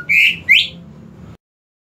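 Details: Greater green leafbird, used as a lure sound to coax leafbirds that will not sing: two clear whistled notes, the first level and sustained, the second sweeping upward, followed by a faint low hum before silence.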